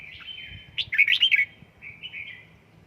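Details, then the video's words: Red-whiskered bulbul kept at home and trained to sing, giving a quick warbled phrase of bright, slurred whistles rising and falling, followed by softer trailing notes; low background hum. "Cách luyện chào mào căng lửa | Dợt chào mào tại nhà, QUÁ HAY nhanh căng lửa chào mào| Birds chirping"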